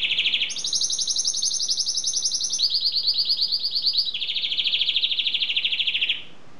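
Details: Singing canary delivering a string of rolling tours, each a rapid pulsed trill held for one to two seconds, stepping between higher and lower pitches before stopping abruptly.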